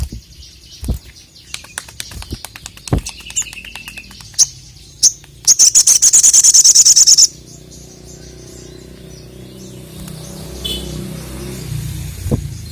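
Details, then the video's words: Crested jay (sogon) in full form, calling out to challenge a rival bird: irregular dry clicks building into a fast, loud, high-pitched rattle of about two seconds, followed by a steady hiss and faint background noise. "BURUNG SOGON GACOR MEMANGGIL LAWAN"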